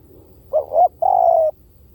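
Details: Single spotted dove lure phrase: two short, rounded notes climbing in pitch, a brief pause, then a long level coo lasting about half a second, clear and close.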